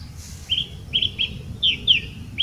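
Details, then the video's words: Song thrush (Turdus philomelos) call in Portugal: six short, thin chips, each sliding slightly downward, about three per second, over a faint low rumble. "Song thrush Call"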